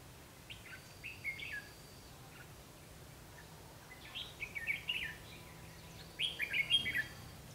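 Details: Red-whiskered bulbul recorded while trapping on 21 March 2016; clipped, sweet whistled phrases in separate short bursts with quiet gaps between them, over a faint low hum.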